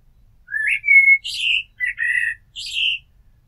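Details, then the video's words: Blackbird song in a quiet setting: a rising whistle into a long level fluted note, followed by mellow warbled phrases, each ending in a squeaky high flourish. "Amsel Gesang - Merle Noir Chant - Blackbird Song - Mirlo Cantando"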